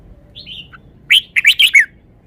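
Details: Red-whiskered bulbul kept in a cage, showing its song phrases: a faint, gliding whistle and a low note, then four loud, bright, bubbling whistled notes in quick succession.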